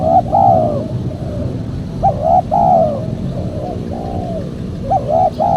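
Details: Spotted dove lure sound for calling in wild doves. Each phrase opens with a quick note and swells into a longer mellow coo, trailing off into soft coos, repeated twice, with a steady low rumble.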